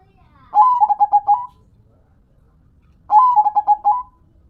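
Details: Zebra dove, local perkutut, in lively song: two clear phrases about two and a half seconds apart, each a high opening coo followed by four or five quick pulsed notes and a trailing tone.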